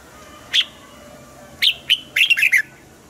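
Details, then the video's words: Red-whiskered bulbul singing, as used to stir up caged birds: a lone bright note, then a pair of short whistles and a rapid cluster of warbled, downward-sliding notes against a quiet background. "นกปรอดหัวจุก | เสียงนกกรงหัวจุก ขวัญใจสายเบิ้ลอาชีพ ฟังแล้วคึกเหมือนเดิม นกไม่คึกห้ามฟัง"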